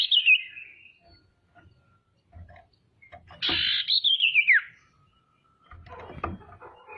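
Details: Lively female common iora calling to stir up rival birds: the tail of one trill fades out, then after knocking sounds a strong buzzy whistle wavers and slides steeply down, followed by more faint clattering.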